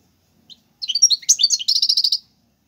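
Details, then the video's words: European goldfinch from Algeria in Serfati and Tiwawati Galoubi song styles for training young birds: scattered high twitters building into a dense, buzzy repeated trill, recorded close and clean. "حسون تيواواطي قالوبي + سرفاتي , تغريد"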